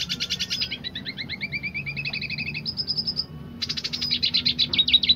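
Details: Dilute red siskin in roll tembak song, a stuttering high trill sliding into a long evenly beaded rattle, then after a brief pause a loud burst of buzzy, rapid notes.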